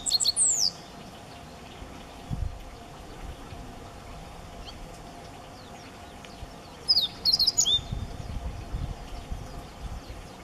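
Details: In May 2017 at Higashi-Mikawa Furusato Park's landscape garden, a close Siberian meadow bunting gives a high slurred whistle, then after a pause a rapid phrase of sharp chips and thin descending notes; soft low thumps between.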